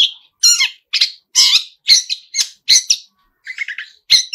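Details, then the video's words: Long-tailed shrike singing vigorously, its song rich in mimicked fills: harsh rasping notes roughly every half second, broken by a short quiet spell and a soft chattering trill before a final shriek. "pentet full isian gacorr"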